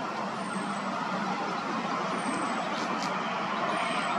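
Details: Steady broadband traffic rumble like a passing truck or bus, with faint high squeals and no animal voice.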